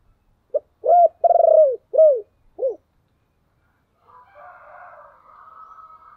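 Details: Spotted dove kept as a decoy, calling to lure others: a single five-note cooing phrase with a long vibrating middle coo, followed after a pause by a faint muffled rasping sound.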